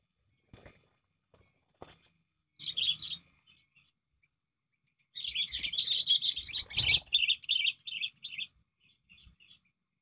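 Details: Sooty-headed bulbul recorded as a lure for trapping birds: brief high chirps, then a dense, busy run of rapid twittering notes lasting about three seconds, ending in a few soft separate chirps, with faint low thumps.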